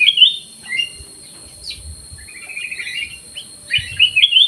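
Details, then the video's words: Caged black-crested bulbul singing in an aviary, opening with a bright whistled phrase, then a longer chattering warble and closing with several loud rising-falling whistles. "KUTILANG EMAS GACOR"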